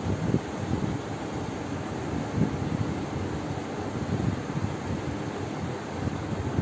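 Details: Low rumbling wind buffeting the microphone, steady throughout with small bumps and no animal sound.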